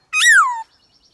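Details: A single loud, rich note from a white-cheeked laughingthrush, swelling and then sliding downward over half a second, from a varied wild-style song used to stimulate other birds.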